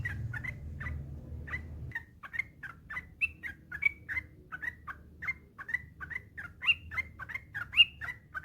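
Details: Yellow-vented bulbul song used as a master track to coax other bulbuls into singing: after low rumble fades, a steady stream of quick liquid chirps and short whistled upslurs, a few higher bright notes near the end.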